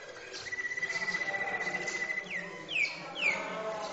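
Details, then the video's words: Malinois canary song: a long, steady, evenly pulsed trill, then sharp falling whistled notes repeated twice. "chant du canari malinois"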